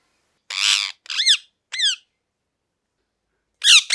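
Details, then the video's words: A parrot mixes a harsh rasping squawk with two shrill, downward-bending chirps, then falls silent before a final loud screech. "Parrot Chirping Sounds | Natural Parrot Sounds | Parrot Calling Sounds"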